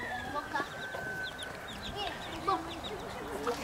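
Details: Hen with five chicks, four white and one black; a busy run of short, high, rising peeps from the chicks repeats throughout, over a few soft low clucks and a faint steady background hum.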